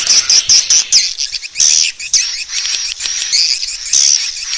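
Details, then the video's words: Swiftlet lure call meant to draw swiftlets to roost in a bird house: dense, high chattering chirps and twitters in rapid bursts, pausing briefly around the two-second mark before resuming. "Suara Burung Walet Panggil Tarik Inap Terbaik II SUARA PANGGIL BURUNG WALET"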